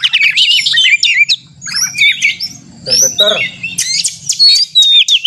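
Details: White-rumped shama singing a challenging fighting song to trigger other shamas: phrases of sweet whistles and chips separated by short pauses, a lower harsh note cluster in the middle.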